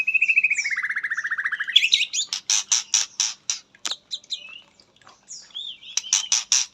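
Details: White-rumped shama song: a long, tremolo whistle sliding down from high to lower pitch, then a burst of sharp, rapid, high chips and short whistled slurs, loud and clear.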